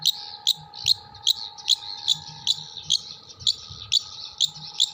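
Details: Long-tailed shrike from Jember delivering imitated song material of kuntilanak, sparrow and tengkek buto: crisp high chip notes repeated roughly every 0.4 seconds, with a low steady hum and faint rumble below.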